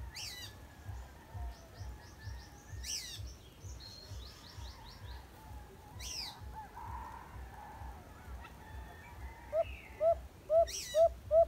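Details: White-eared brown dove, caught in a cage trap during a rescue, gives a closing series of five short, hooked mid-pitched coos, about two per second, after scattered high chirps from other birds, rustling clicks and a low rumble.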